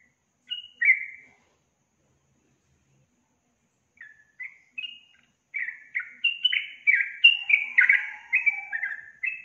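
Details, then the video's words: Yellow-vented bulbul singing vigorously: after a single bubbly note and a pause, short gurgling whistled phrases between two and three thousand cycles build into a fast, jumbled sequence of falling chirps, with a lower warble near the end. "SUARA BURUNG TRUCUKAN GACOR"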